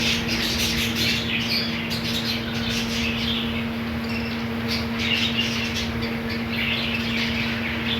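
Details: A budgerigar colony, with green food, chatters in layered chirps and short squeaky notes, rising and falling in busyness, a low steady hum behind.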